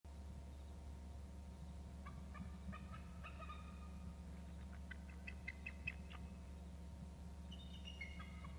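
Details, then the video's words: An adult eagle call: a fast series of high, thin piping notes lasting about four seconds, then a sliding, falling squeal, over a steady low rumbling hum. "Adult eagle call"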